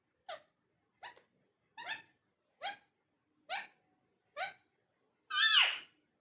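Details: Talking parrot indoors: six short, clipped, hiccup-like notes spaced under a second apart, then one longer, louder, richer utterance at the end; otherwise quiet.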